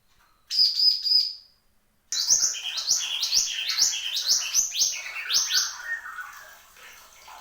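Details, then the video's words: Horsfield's babbler singing actively: a brief high whistled phrase, a pause, then a lively series of rapid rising and falling whistled notes, repeated roughly every half second and fading toward the end. "SUARA BURUNG MANTENAN GUNUNG GACOR"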